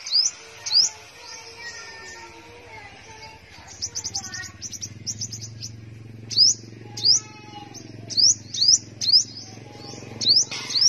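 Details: A caged sunbird (five-colour sunbird) in Tân Phú, Đồng Nai, Vietnam sings a high, thin twitter of sharp, sweeping chirps, in bursts every second or so, over a faint low hum.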